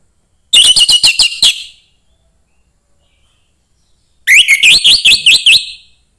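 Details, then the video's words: Young forest orange-headed thrush singing to stimulate other thrushes: two loud bursts of rapid, rich whistled notes, each phrase about a second long with quick repeated slurred syllables, separated by silence. "suara anis merah MUDA HUTAN meningkatkan felling anis merah lain"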